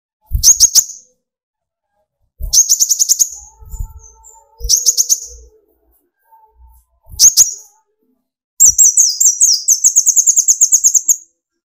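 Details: Sunbird (kolibri ninja) in full song to excite other birds into singing: four short bursts of rapid, piercing high trilled notes spaced a few seconds apart, ending in a longer run of quick twittering.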